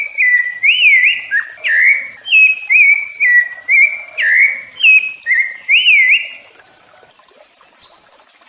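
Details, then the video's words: Rufous-bellied thrush song, played to teach and stimulate young and adult birds; clear, loud whistled phrases, each a short sliding or rising-falling note, repeated roughly twice per second for six seconds, then a pause and one brief high note. "O MELHOR CANTO DO SABIÁ LARANJEIRA PARA ENSINAR E ESQUENTAR SEUS PÁSSAROS ADULTO OU FILHOTE DE SABIÁ"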